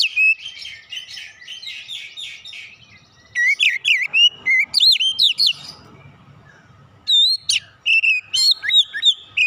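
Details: Oriental magpie-robin lure song beginning with a quick chattering run, followed by loud looping whistles and chips, a short pause, then more varied whistled phrases.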